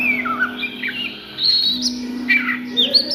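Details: Oriental magpie-robin singing in the ngriwik style at midday: clear whistled phrases, some rising, some falling, spread across mid and high pitches with short gaps, over a steady low hum in the background.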